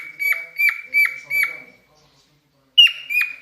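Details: Cockatiel in mating mood sings four quick whistled, down-slurred notes, falls silent for over a second, then begins again with a strong clear whistle.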